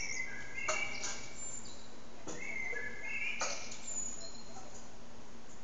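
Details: A common blackbird sings loudly in an echoing urban backyard courtyard, with fluty, mellow whistled phrases and thin high twittering endings about every second, over loud low background noise.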